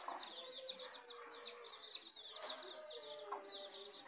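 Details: Hens with their chicks: a dense chorus of high, rapid, downslurred peeps from many chicks, overlapping continuously, with lower drawn-out tones from the hens underneath.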